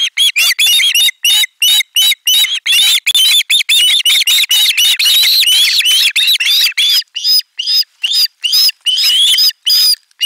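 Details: Ospreys at a live nest camera in Finland, 18 July 2022, shrieking in chorus over a delivered fish: a long run of shrill, slurred whistled cries, crowded at first, then thinning to separate clear notes.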